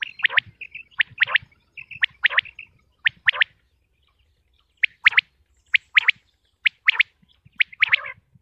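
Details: Common quail (batair) of Pakistan repeating clear, ringing pik-pi-pik style triplets about once a second, with short tonal notes between some phrases and a brief pause in the middle.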